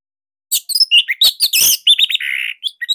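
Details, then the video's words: Orange-headed thrush in full song, a loud, slightly dense master recording for luring others to sing: a rich, quickly changing jumble of whistles, rasps and chips, closing with a buzzy held note. "Kicauan Joss ANIS MERAH Pancingan Masternya Para JUARA"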